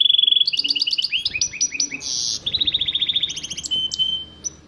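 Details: Hybrid of goldfinch and canary in full song. A steady high trill opens it, followed by stepped rising chirp series, a brief harsh buzzy burst, a fast even trill and a thin sustained whistle.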